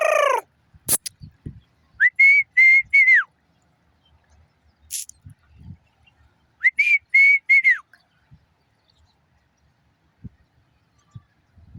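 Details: Black francolin calling twice, each phrase a run of five loud, grating whistled notes, steady in pitch with the last note dropping away, the two phrases about four and a half seconds apart, with scattered clicks and knocks between them.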